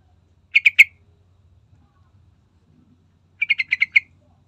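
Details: Sooty-headed bulbul recording meant to coax other birds into song. Three sharp chirps, then a brisker string of six similar notes a few seconds later, with a faint hum behind them.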